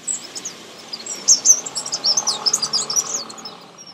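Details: Nestlings being fed close up give a busy run of high, thin chirps that rise in intensity, closely packed and excited.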